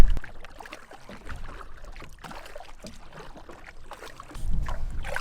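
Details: Splashing and dribbling water, like a paddle or canoe moving through water, with no animal voice heard.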